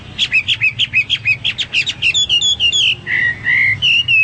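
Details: Energetic Hwamei song: a quick, regular series of sharp two-part chirps, about three each second, moving into clear, drawn-out descending whistles and lower, sustained whistled notes.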